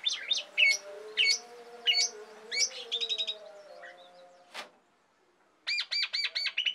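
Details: Asian pied starling singing to prompt and tutor songbirds: scratchy whistled phrases and a buzzy rattle over a low hum, a short silence, then a fast series of ringing, repeated notes.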